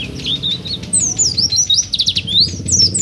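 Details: Oriental white-eye singing energetically, a song used for training other birds or luring them: fast, high, twittering phrases of slurred whistles and sharp chirps over a faint low background hum.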